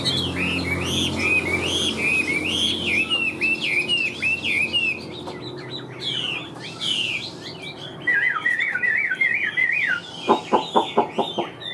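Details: Large caged Chinese hwamei with yellow legs and bill, singing in the laughingthrush-tail style. It gives rapid looping whistles, a lower wavering trill, and then a few loud, sharp staccato notes.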